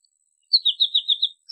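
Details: American goldfinch giving a short run of six descending, slurred twittering notes in quick succession, followed by a brief high note.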